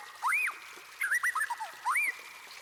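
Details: White-rumped shama song, used as a training recording to make other birds sing along. Three loud, clear slurred whistles rise and fall in arches, with a run of short twisting notes between them over a faint watery hiss.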